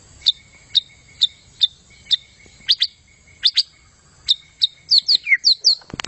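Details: A white-rumped shama during a 'gacor' display gives thin, high, sharp chirps about every half second. They speed into quick doubled notes, then end with a loud click.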